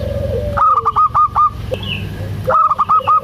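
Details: Female local zebra dove calling to a male, loud voice: two runs of five rapid, harsh, staccato notes, each run led into by a soft falling coo, with a faint higher note between them and constant low background hum.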